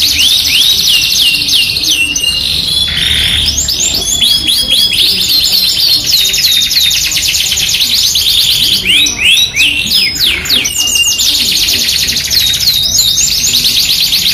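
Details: Yorkshire canary in loud song, played as a masteran for canaries with an AF canary of luxurious cengkok: long buzzy trills interleaved with sweeping whistles, a lower rasping burst near three seconds, continuous.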